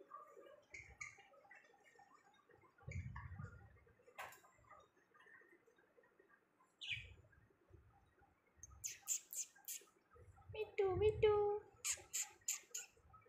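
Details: Budgerigars feeding together, giving scattered chirps and warbling chatter, with bursts of sharp high clicks and harsh notes; low thumping and rustling handling sounds run through the recording.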